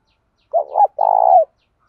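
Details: Spotted dove coo, male and female doves, played to stimulate other doves to call: one clear two-part phrase, a short wavering note then a longer steady hooted note, on a silent background.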